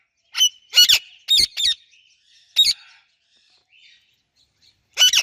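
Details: Pet rose-ringed parakeet and Alexandrine parakeet chirping together: loud, shrill, grating chirps in twos and singles with gaps of up to two seconds, faint soft twitters between, otherwise quiet.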